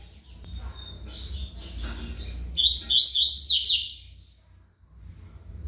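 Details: Double-collared seedeater singing the Tui Tui song style, described as a good singer: a burst of fast, bright, buzzy high notes in slurred rising strokes, preceded by faint twittering, over a low steady hum.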